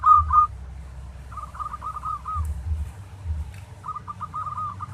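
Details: Local perkutut, or zebra dove, singing in 'tarik' style, recorded to teach other doves: a short opening note, then two soft rolling trills of rapid cooing beats, with a low rumble throughout.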